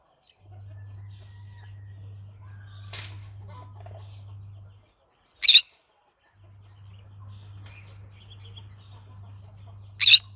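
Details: Green-cheeked conure calling twice, giving sharp, raspy squawks roughly five seconds apart, over a faint low hum and a few soft clicks.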